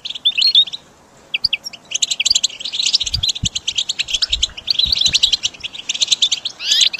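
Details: Song of a goldfinch for training caged birds: a short twitter, a brief gap, then steady high chattering phrases of quick chirps and buzzy notes, with soft low thuds in the middle.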